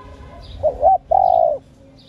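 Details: Female spotted dove giving its stimulating call to male doves: a short wavering two-part note, a small pause, then a drawn-out steady coo ending lower. A faint hum and high chirps are behind.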